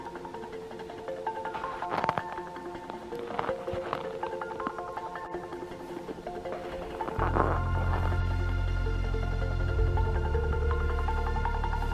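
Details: Instrumental music with plucked and chiming tones, joined by a steady low drone in the second half, and no animal voices.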